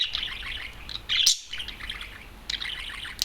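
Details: Caged budgerigar, an adult male let out alone and perched on a television, gives a short burst of fast twittering chatter with one louder squeaky note in the middle.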